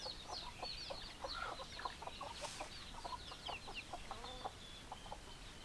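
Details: Chicken flock: clucks and chatter in quick irregular bursts beneath a carpet of high peeping calls, with constant background noise.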